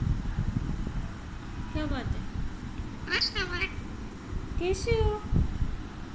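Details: A pet talking Alexandrine parakeet named Mitthu speaks three short, harmonic, voice-like Hindi phrases about a second and a half apart, over steady low traffic rumble.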